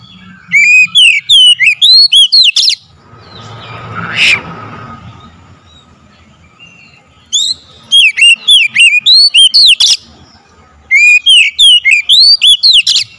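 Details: Oriental magpie-robin lure song meant to provoke another bird: three bursts of quick, evenly spaced whistled notes, with a hissy pause holding a brief rising sound in the middle.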